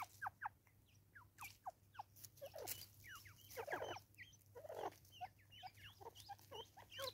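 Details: Harsh, raucous call of Natal spurfowl in South Africa: spaced then crowded falling notes, grating and clucking, growing busier toward the middle and end, with a low hum in the background.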